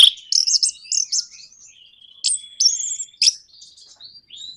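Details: Orange-headed thrush song used to trigger singing in other birds: quick high chattering notes, long thin sliding whistles and a trilled phrase, with quieter sustained whistles between sharp bursts.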